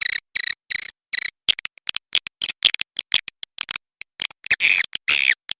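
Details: Swiftlet calls in the sound style known as Walet Macan Merah, said to draw a proven response: bursts of high, bright chirps in quick clusters, with short silent gaps and a louder, denser twittering run near the end.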